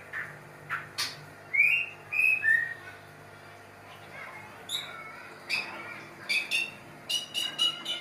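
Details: White-rumped shama in a mating setting: scattered sharp clicks, a few clear rising whistles midway, then quick bursts of high ticking notes, with low hum throughout.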